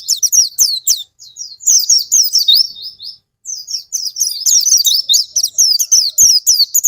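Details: High, rapid twittering of an Oriental white-eye, meant to get other birds singing; busy chattering bursts interrupted by a sustained thin trill and a short pause near the middle, then dense warbling resumes to the end.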